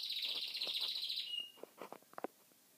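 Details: Chinese canary singing in Kuwait: a fast, high buzzy trill held for over a second, then several soft clicks and taps.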